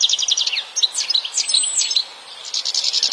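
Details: Wild European goldfinch singing in nature: a quick run of bright, tinkling high twitters and short buzzy notes, tightly packed with brief gaps, over a quiet background.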